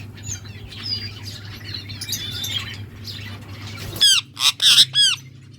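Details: Lovebirds chirping while budgies eat nearby: soft, busy high chatter over a steady low hum, then from four seconds several loud, harsh squawks in quick succession.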